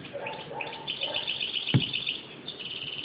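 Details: European goldfinch calling while being hand fed, a steady stream of soft, high, twittering chirps with a few lower warbled notes early on and one sharp click partway through.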